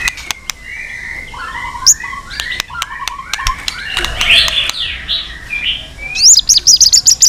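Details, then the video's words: White-rumped shama singing a many-voiced fighting song to provoke rivals: a run of short slurred whistles near mid pitch, scattered sharp clicks, then a rapid series of high, bright notes at the end. "chòe lửa hót nhiều giọng kích bổi hót đấu"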